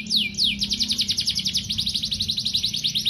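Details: Canary giving a long training song for young canaries: fast rhythmic trill of descending whistled notes, about four per second, with a faint low hum beneath.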